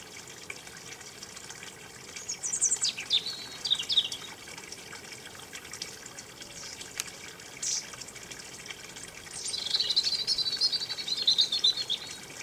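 A robin gives two bursts of high, thin, tumbling twitters and trills, falling slightly in pitch, over a steady hiss like running water.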